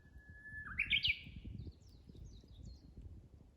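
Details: A Japanese bush warbler gives a level whistled note that dips briefly, then climbs into a rapid, bright phrase of stepped notes before fading, over soft low background rumble.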